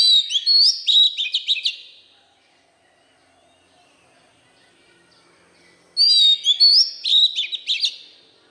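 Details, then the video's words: Two nearly identical loud phrases of Oriental magpie-robin song in a forest-style voice, each a quick string of sharp whistles and chips, separated by about four seconds of near quiet. "Chòe Than hót Giọng chuẩn | chăm sóc chim hót | Chích Choè Than giọng rừng kích bổi"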